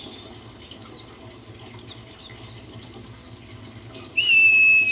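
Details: White-eye, buxtoni form, therapy recording for getting a bird back into song: scattered high squeaky chirps and downward flicks, then a long flat sustained whistle to the end.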